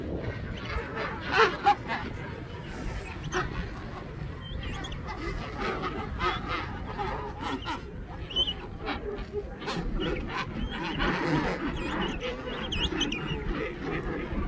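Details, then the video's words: Colony of king penguins, many birds calling at once in a busy wash of overlapping honks and brief trumpeting notes, with a constant low background roar throughout. "King penguin colony"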